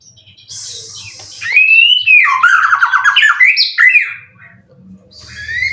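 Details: Contest-winning white-rumped shama in a cage, aged three moults, with song material full of cililin; a faint high hiss, then one long loud phrase of rising whistles and rapid stuttering trills, fading to a low hum.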